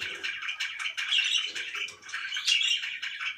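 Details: Budgerigars kept as pets indoors chirp and warble rapidly, harsh buzzy notes alternating with clearer squeaks in irregular pulses.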